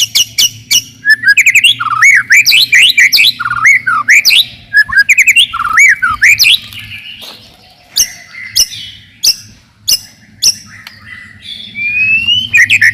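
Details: Melodious white-rumped shama song meant to rouse rivals and build fighting spirit in young birds. Varied looping whistles rise and fall in repeated phrases, mixed with sharp clicks and short high notes, and pause briefly between bursts over a constant low hum.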